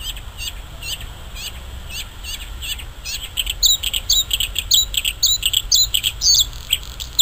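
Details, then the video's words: Bluethroat singing in the wild. A run of thin, high, downslurred notes repeated at an even pace leads into faster, varied chirps and twittering phrases. A steady low hum and faint high hiss run underneath. "Fortuna azul cantando en la naturaleza غناء طائر البلوثروت في الطبيعة"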